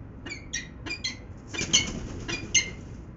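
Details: Peregrine falcons at Venlo, 19 February 2021, mid-afternoon: sharp, scratchy, high calls in short uneven bursts, several overlapping notes, with low rumbling background noise.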